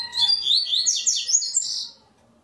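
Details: Double-collared seedeater in a web singing tournament, one loud fast phrase of bright whistled and buzzy slurs, dense and unbroken for about two seconds before stopping; a faint steady tone underneath.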